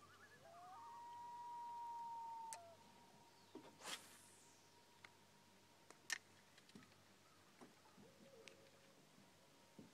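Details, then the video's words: Common loon at dusk on a lake: a long wailing note that slides up at the start, then holds steady for about two seconds before breaking off. Faint clicks and a short, low note follow in the quiet. "Loon Lullaby"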